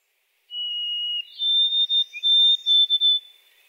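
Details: A White-throated sparrow, recorded in Quebec, whistles one long, pure, steady note, then slides up into a string of higher clipped notes; a song sparrow is faintly heard in the background.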